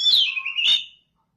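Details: A single brief whistled phrase from an Oriental magpie-robin calling song, used to make other magpie-robins answer: a bright note sliding down, then rising again, about one second long, followed by silence.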